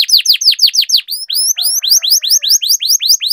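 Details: Canary's rolling training song to prompt lazy canaries into song: quick down-slurred notes, then evenly repeated upswept-then-falling whistles over a faint low hum.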